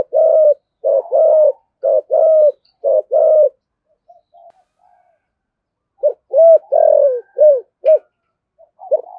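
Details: Spotted dove cooing in the thổ sấm style with thúc gù calling: loud, low repeated coos in two bursts of five to six notes, separated by a short pause with faint softer notes.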